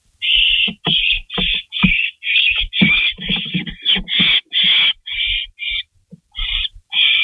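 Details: Barn owls at a nest at 3:53 AM on May 16, 2012, around the delivery of a rabbit. There is a fast run of loud, harsh hissing screeches, about two a second, mixed with low thuds and scuffling.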